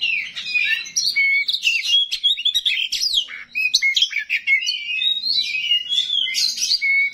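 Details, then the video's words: Oriental magpie-robin of the small 'rawit' type delivering its coarse fill-in song, meant to make other magpie-robins answer: a dense, fast run of varied high whistles, chirps and buzzy notes with sharp upslurs, nearly continuous for seven seconds. "KACER RAWIT BONGKAR ISIAN KASAR, BIKIN KACER LAIN PASTI NYAUT"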